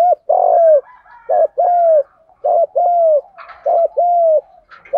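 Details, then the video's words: Repeated song of a spotted dove in the 'đồng pha thúc gù' style, used to get caged doves singing: four rapid coo pairs, each a brief note and a sustained sweeping coo, with light clicks near the end. "tiếng chim cu gáy giọng đồng pha thúc gù"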